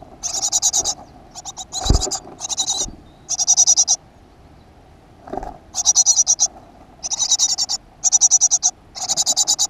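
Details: Great tit at a nest box in a school garden, 7 June 2015. High, buzzy, rapidly pulsed bursts, each under a second, come in quick succession with short gaps. A few low thumps are also heard.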